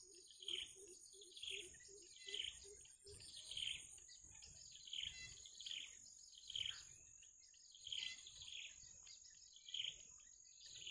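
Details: Wild bittern chicks waiting for the parent to return with food, giving short high chirps every second or so, with lower soft notes early on and a steady high electronic whine behind.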